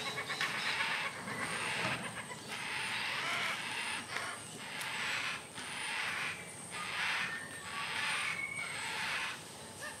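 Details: A yellow-tailed black cockatoo chick in a tree in Sydney, fed macadamia nuts by its mother, gives harsh, rasping, wheezy begging calls about once a second, over a faint steady high hiss.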